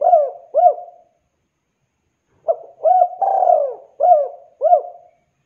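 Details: Spotted dove calling out to others: a pair of short, husky coos, a pause of over a second, then a series of low cooing notes with one longer slurred coo in the middle, no other sounds.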